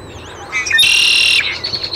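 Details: Great-tailed grackle in Taos, New Mexico, on 17 June 2017: thin wavering whistles, then a loud harsh buzzy blast lasting about half a second, followed by softer warbled notes.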